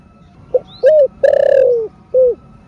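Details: Spotted dove (cu gáy) in the thổ rền style, a coo used to stimulate caged doves. One whole phrase: a soft pip, a firm low note, a long buzzy descending coo, then a single short end note.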